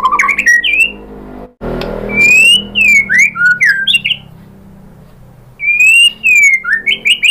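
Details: White-rumped shama (murai batu) lure song with mimicked phrases, meant to get other shamas to answer. Separate bursts of sharp whistled notes and harsh upward slurs with quiet gaps between them, plus some background hiss.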